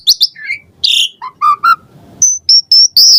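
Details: Short burst from an Asian pied starling's varied song, meant to get caged birds singing: high slurred chirps, a loud squeaky note, three low fluted whistles, then thin high whistles and a shrill ending.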